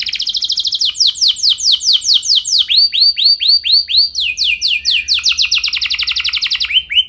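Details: Canary's luxurious lure song, meant to set other canaries singing in reply; an unbroken run of rolling tours, each a rapid series of bright, sweeping slurred notes, with the pitch and speed shifting between tours.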